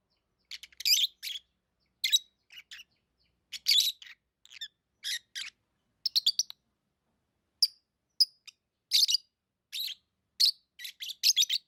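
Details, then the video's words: Chirping lovebirds keep up a near-continuous chatter of brief, shrill, buzzy notes and sharp squeaks in irregular bursts of two to four, with no other sounds. "Love birds Sounds | lovebirds chirping sounds"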